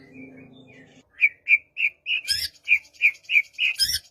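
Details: White-rumped shama singing as a prompt for a silent bird, morning or afternoon: a faint low hum, then a steady series of short clear whistled notes roughly every third of a second, broken by two harsh bursts.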